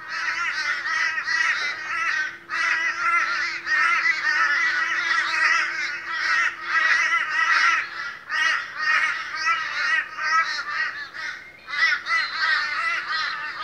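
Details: A boisterous morning gathering of Australian crows: many harsh, nasal caws overlap in a dense, continuous chorus, with brief lulls near two and eight seconds, and a steady low hum underneath.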